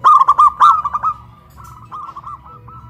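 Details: Caged zebra dove hoisted high on a pole in Kuningan, West Java, singing loudly; a strong burst of rapid, bouncing coos fades into a softer, evenly spaced run of notes.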